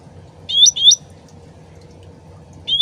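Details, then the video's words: Sooty-headed bulbul in an original recording used to lure other birds into replying. Two loud, clear rising whistles, a pause, then a third, over soft flowing water. "PANCINGAN CUCAK RANTING SUARA ASLI DAN GEMERCIK AIR CEPAT NYAUT"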